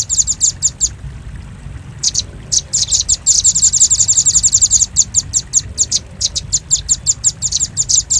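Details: Velvet-fronted nuthatch lure call: bursts of very high, sharp ticking notes, a near-silent pause of about one second, then dense, fast chattering runs and steady repeated chips.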